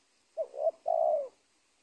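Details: A single phrase from a wild spotted dove at the edge of a teak plantation by an old cornfield: a brief rising note, a wavering second note, then a long, smooth descending coo lasting about half a second.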